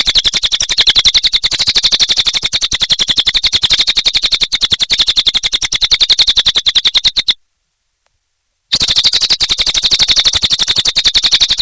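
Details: Lively, sustained cililin song: dense, rapid, high-pitched chattering notes repeated at a fast steady pace, with one sudden silent break before the same insistent chatter continues.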